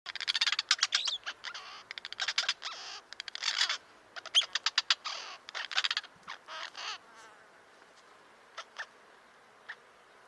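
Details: White-crowned starling, a bird often seen around houses: a harsh, loud chattering run of rasping notes and squeaks, fading into sparse scattered clicks toward the end.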